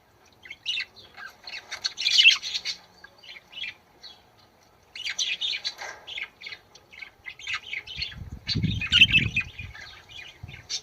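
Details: Budgerigar song used to stimulate birds to mate: two long stretches of rapid chattering warble, chirps and scratchy squawks, separated by a short pause, with low rumbling noise near the end.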